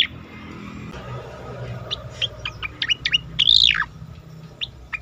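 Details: Asian pied starling song recorded for training competition birds: scattered short chirps build to a loud, arching whistled sweep that rises and falls, followed by a few more clipped notes over faint background hiss.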